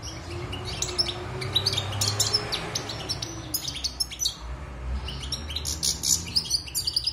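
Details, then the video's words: Wild European goldfinch kept caged six months following its moult, producing a long stream of sparkling twitters and buzzy chirps, with steady low background noise throughout. "Chant de Chardonneret sauvage (Repassage)|غناء حسون خلوي خارج من تغير الريش"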